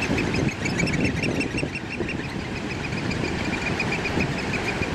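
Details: African black oystercatchers in a territorial piping display pipe shrill, high, repeated notes about four per second in a fast excited chorus over a steady roar of surf or wind.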